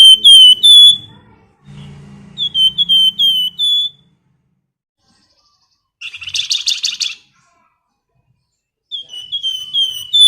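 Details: High whistled phrases from a female flamboyan calling a male, each a quick chain of slurred notes ending on a held tone, and a short noisy rattling burst midway, with a low hum in the background.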